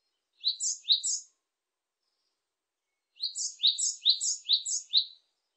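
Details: Great tit song of bright, high two-note phrases repeated briskly: two phrases, a short pause, then a run of about six, each a sharp upper note followed by a lower slurred one. Quiet background.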